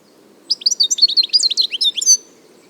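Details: European goldfinch recorded in nature, a wild bird said to be disappearing through overhunting; a short, lively run of high twittering and liquid tinkling notes lasting about a second and a half.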